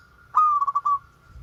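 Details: Local zebra dove, kept as a training bird to lure sluggish birds into singing, gives one melodious phrase: a bright opening note followed by a quick stuttering run of soft cooing pulses, with low background hum.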